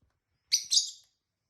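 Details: Pair of tame lovebirds, one peach-faced and one hybrid, chirping: two quick, high, slightly buzzy chirps in close succession, then quiet.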